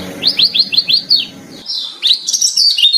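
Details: Varied training song of a lemon-bellied white-eye: six evenly spaced, crisp downslurred chirps, then higher, thinner trilled and warbling notes that rise and waver.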